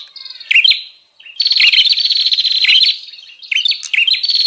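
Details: Lure call of the bar-winged prinia to attract wild birds: a brief chirp, then a sustained buzzy rattling run with sharp chirps, followed by softer then renewed trills.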